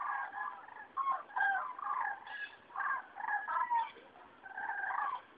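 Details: Flock of cranes migrating over Rochechouart, France, in February 2013, heralding spring; clear, rolling bugle calls from several birds overlap almost continuously, rising and falling in strength.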